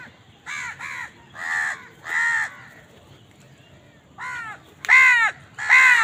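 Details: Harsh, hoarse cawing from crows at food, fighting over scraps: a run of four caws, a quiet gap of about two seconds, then three strong drawn-out caws with the loudest at the end.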